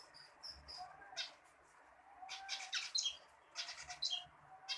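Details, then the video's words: Zebra finch calling and singing: short high piping notes followed by buzzy, harsh bursts, several strung together in the second half. "Burung pipit zebra gajorrrrr"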